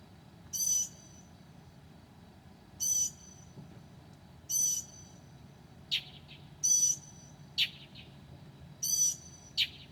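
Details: Northern mockingbird singing at 2 a.m. on a July night, mimicking other birds: high, short hissing whistled phrases every two seconds or so, alternating with sharp clicking chips.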